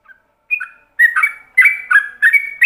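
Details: Yellow-vented bulbul giving a ropelan-style song for training other bulbuls: one faint note, then loud gurgling whistled phrases following one another about every third of a second in a clean setting.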